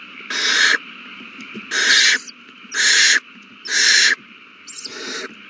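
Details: Owl chicks begging while fed a large meal on 27 March 2020; five rough, hissing screeches at about one per second, the last softer and broken, with background hum.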